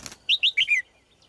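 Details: A female red-whiskered bulbul gives a quick phrase of four bright, warbled notes, the last ones sliding downward, after a brief rustle.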